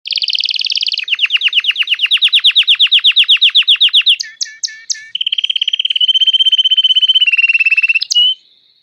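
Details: Red Belgian canary giving a long song: a short buzzy trill, then a fast run of repeated downslurred notes, a few sharp chirps, and a steady rapid rolling trill ending in a brief upward note.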